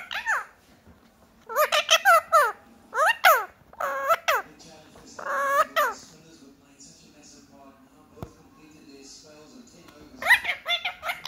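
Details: Indian ringneck parakeet, a six-month-old pet, chattering in bursts of high, nasal, speech-like syllables with sweeping pitch. Four to five clustered phrases come early, then a quieter stretch with a soft click, and a final burst near the end indoors.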